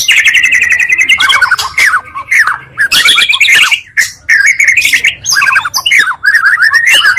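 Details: Oriental magpie-robin lure song blending two birds' voices, meant to rouse other magpie-robins quickly; loud sweet whistled phrases with rapid trills, harsh buzzy bursts and short pauses between bursts.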